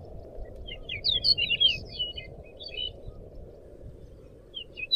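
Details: Pied bushchat in lively song, used to tutor caged birds: a tumbling burst of quick, high chirped and slurred notes early on, thinning to scattered soft notes, over low background rumble.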